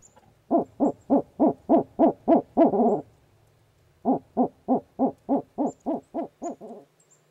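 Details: A male northern Barred Owl at his nest box in Eastern Massachusetts on a winter night visit gives the monkey call from the doorway to claim the box: two rapid runs of loud, hoarse hooting notes, about three per second, separated by a brief pause.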